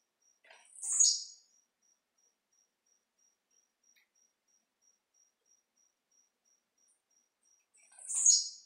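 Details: Tiziu, the blue-black grassquit, singing during its leaping display. Two loud, short, buzzy notes come roughly seven seconds apart over a constant, rapidly pulsing cricket trill.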